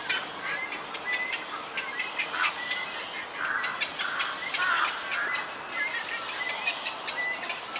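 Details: Juvenile Black-crowned night herons in a cormorant and heron colony on a wild bird island where Yokojukken Shinsui Park meets Sendaibori River Park, 1 June 2023; harsh, rasping bursts overlap in an irregular, lively chorus against a steady hiss of colony noise.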